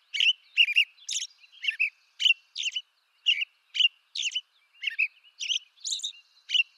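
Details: An American robin of eastern North America carols steadily, about a dozen short liquid whistled phrases following one another rapidly, each slightly different in pitch, mixed with high thin squeaky notes; quiet background.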